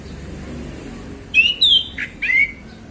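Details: Male orange-headed thrush singing a relaxed 'ngeplong' style song in the afternoon: after a quiet start, four quick clear whistled phrases sliding between mid and high pitch, the last rising then falling, over a faint steady background hiss.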